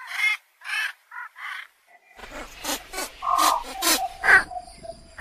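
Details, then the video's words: Rough, croaking squawks from a Javan pond heron, first a few spaced calls, then denser overlapping grating bursts with short tonal notes in between. "SUARA BURUNG BELEKOK SAWAH"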